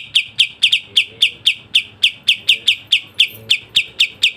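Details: Sooty-headed bulbul delivering a fast masteran song: steady, bright, high-pitched chips about four per second, with a few notes doubled close together.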